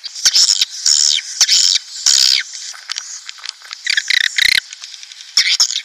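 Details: Lure recording of swiftlets, made to bring colonies into a nest house: shrill buzzy chirps in clusters, broken by sharp clicks, with a lower, harsher two-part burst near the end.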